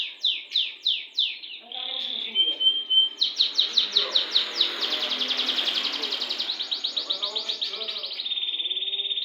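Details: Canary singing a song with a long roll: rapid repeated sweeping high notes, then a clear whistled tone, then a long fast trill of buzzy repeated notes that runs on steadily for several seconds.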